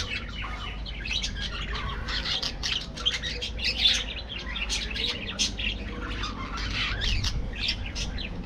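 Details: Budgerigar colony in an aviary: quick clicking chirps and twittered phrases from several birds, with a louder burst near the fourth second, over a soft hum.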